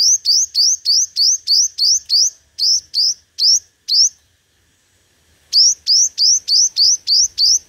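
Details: Five-colour sunbird giving competitive lure song. Rapid series of bright, rising whistled notes, about three per second, pause for over a second of silence, then resume in a fast even run.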